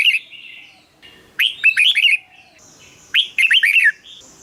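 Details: ['Caged red-whiskered bulbul song for luring birds or making them lively: two rich warbled phrases, each a rising note followed by three or four quick, bouncing whistles, about two seconds apart.']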